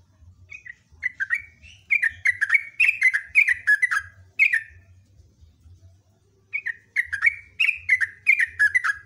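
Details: Sooty-headed bulbul giving a loud, long rapid-fire song: two runs of chirpy, downslurred whistled notes in quick succession, broken by a pause of about two seconds, over a steady low hum.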